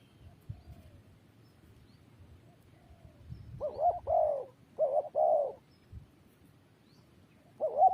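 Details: After a quiet stretch, a spotted dove delivers two paired coo phrases, short hooked note then longer rounded coo, starting a third at the end over soft low rumble.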